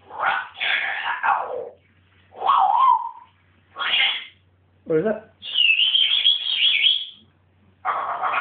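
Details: Excited pet African grey parrot in a house. Loud harsh squawks come in bursts, with a short wavering whistle, a low croak and a long high trilling whistle held near the end.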